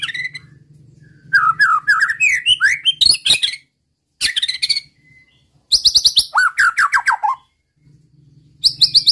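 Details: Song of a white-rumped shama used to stir rival males: slurred whistles and twittering, sharp clicks, then rapid repeated chips and falling whistles, with a low hum in quieter moments.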